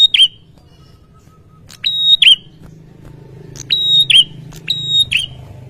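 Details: Ashy tailorbird turning noisy and agitated in answer to a lure sound: four loud phrases, each a sharp click, a steady high whistle with bright overtones, then a short looping downward note, spaced about a second or two apart over a low hum.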